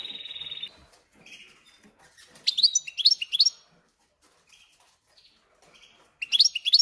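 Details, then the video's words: Captive European goldfinch × canary hybrid singing: a short steady high trill, then quiet, then two bursts of quick bright chirping notes, the second starting near the end. "Поющий Гибрид Щегла и Канарейки"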